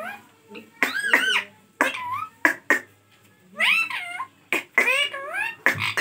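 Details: Talking ringneck parrot kept as a pet, Hindi-speaking, utters a run of warbling, speech-like phrases with wavering rising and falling tones, broken by brief pauses and sharp clicks.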